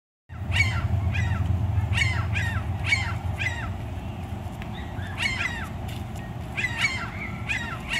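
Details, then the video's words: Two seagulls arguing with each other, trading harsh, nasal, downward-slurring calls in quick irregular bursts, several per second at times, over a steady low rumble like wind or distant traffic. "2 Seagulls B******* at each other!!!"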